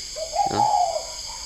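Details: Captive spotted dove at a bird farm in Ba Vì, Hanoi, Vietnam, at 10 pm: a single short, even coo of just under a second, dipping slightly at the end, with a brief thump and a steady high electrical-like hum behind.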